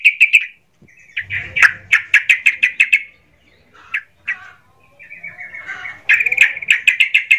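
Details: Sooty-headed bulbul delivering emotional song to raise other bulbuls' spirit, with several fast runs of repeated chattering notes, broken by a few scattered warbled calls and short silences.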